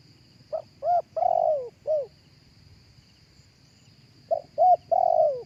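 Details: Spotted dove cooing, played through a speaker to lure other doves: two phrases, each of several short hollow coos followed by a longer drawn-out falling coo, over a faint steady hum.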